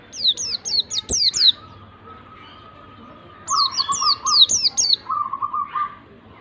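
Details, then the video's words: White-eye song used to prompt a reluctant bird to sing: quick series of high, sharply descending whistles in two bursts, with a lower, even piping note held and repeated between them. "PANCINGAN PLECI MALAS BUNYI pleci malas bunyi langsung ngalas emosi"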